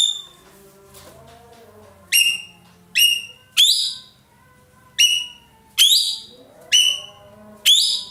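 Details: Roller known in Indonesia as ekek keling, after a stretch of soft background whistling, bursting into a run of loud, hoarse, downward-sliding notes repeated almost every second.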